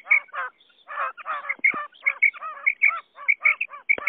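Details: Common quail calls, male and female, used for luring quail: sharp high notes in doubled bursts alternating with rougher, buzzy lower notes, with short gaps between groups.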